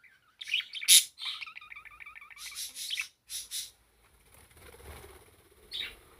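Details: Pet parakeet singing indoors, with a harsh squawk near the start, a run of quick repeated chirps, then quieter chatter and a soft low rumble before a final sharp note.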